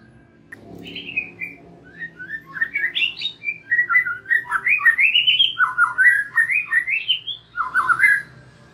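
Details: White-rumped shama song aimed at drawing young and wild-caught birds into open singing: a soft start, then a long lively sequence of varied fluting whistles, many sweeping upward, ending in a lower warble.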